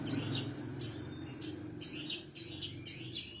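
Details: Javan bush lark, recorded as a master song for young and silent larks: repeated wavering, warbled high phrases about every half second, with a low steady hum underneath.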